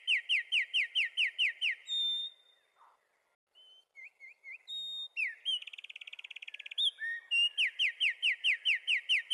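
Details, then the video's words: A wren sings loud, rapid trills of bright down-slurred notes, about eight a second, broken by short whistles and a buzzy rattle before the trilling resumes. "Wrens bird Singing"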